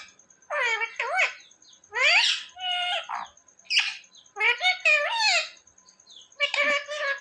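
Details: Talking pet parrot kept indoors, said to speak words like mummy and papa; bursts of nasal, speech-like syllables with stacked harmonics and curving pitch, about seven phrases in quick succession, with a faint constant high whine.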